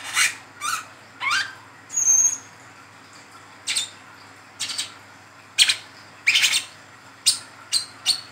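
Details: Young brown-throated sunbird in lure recording for caged birds: short, raspy high chirps and squeaky rising notes, about a dozen bursts in eight seconds, some paired in quick succession.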